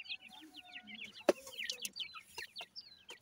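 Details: Grey francolin chicks while feeding: quick, thin chirps, mostly descending, in a busy chatter, with one loud click and a faint low hum beneath.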